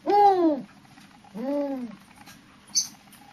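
A spotted eagle-owl gives two low, hoarse hoots, each arching up then down and about half a second long. A brief faint hiss follows.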